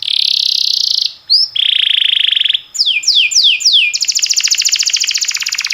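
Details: Canary song recorded for training canaries, timbrado style: a long buzzy high trill, a short break, another steady rolled trill, then four descending swooping whistles and a fast pulsing trill.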